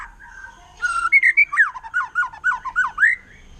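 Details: Wild forest white-rumped shama song, said to stir other shamas: mellow whistled phrases, then a run of rich, looping warbled notes rising and falling, each about a quarter second long.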